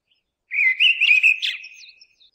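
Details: Mistle thrush singing one short fluted phrase of clear whistled notes that warble up and down, ending in a few thin, fading high notes; background quiet.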